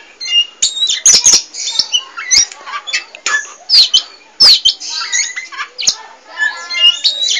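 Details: Poci Oriental magpie-robin singing constantly, a rapid string of sharp clicks, short slurred whistles and chirpy squeaks in busy irregular bursts.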